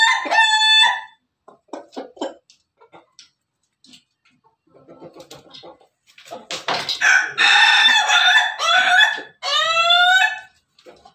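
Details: Pelung rooster: a short crow ending at the start, scattered clucks, then a long loud crow and a second rising and falling crow near the end.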